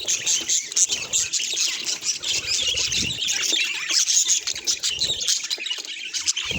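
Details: Steady chorus of budgerigar calls: rapid chirping, scratchy warbles and occasional squawks overlapping throughout, with a few brighter whistled peeps around four seconds.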